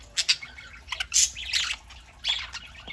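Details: Small indoor flock of pet budgerigars feeding on a Saturday morning; bright, rapid chirps and squeaky warbled chatter in quick bursts, dense and high-pitched, with brief pauses between clusters.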